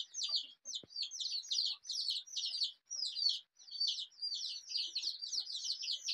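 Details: Desi chicks, brightly coloured rainbow baby chickens, peeping together: a dense, unbroken stream of high, thin downward-slurred cheeps overlapping from many birds, with a faint low thump near the start.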